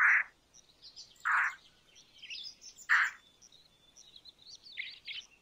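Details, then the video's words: Three loud, grating croaks from an Indian roller, spaced over a second apart, with faint high twittering birds in the background. "Indian Roller Call ! Indian Roller Song ! Indian Roller Sounds ! Indian Roller Voice"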